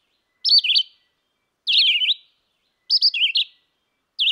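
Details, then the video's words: Red-eyed vireo singing short, warbled whistled phrases, each slurred up and down, repeated roughly every 1.2 seconds with brief silent pauses between; four phrases heard, clear and unaccompanied by other sounds. "Singing Red-eyed vireo"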